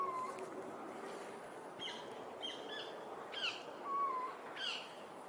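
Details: Male little owl calling to his mate and one owlet in a nearby tree, at the Serpentine Gallery: soft, level mid-pitched hoots, with sharper, higher yelping notes roughly every second in between, over a steady hiss.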